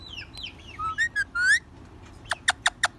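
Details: Rose-ringed parakeet, a talking ringneck parrot, producing short upward whistled notes followed by four clipped harsh chirps spaced evenly about a sixth of a second apart.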